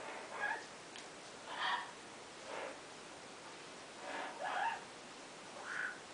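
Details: Female Double Yellow-headed Amazon parrot, a pet, excitedly calling while playing in her favourite hiding place inside an open cabinet: about six short, soft squawky notes spaced irregularly over six seconds, over a steady background hiss.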